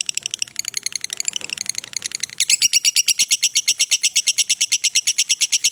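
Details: A lovebird's long ngekek trill for use as a training master: quieter uneven chatter for two seconds, then a loud, steady run of rapid, shrill pulsed notes.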